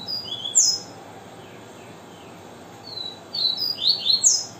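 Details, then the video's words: Variable seedeater singing in the viviti song style: a few thin, high, clear notes open the phrase, then after a pause comes a quick cluster of sharp, slurred whistles over steady background hiss. "Coleiro Viviti Maestro"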